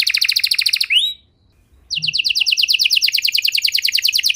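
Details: Long-singing canary with a special song variation, played to coax stalled canaries into singing again; a rapid high trill stops with a rising slur, falls silent for about a second, then a quick rattling trill resumes.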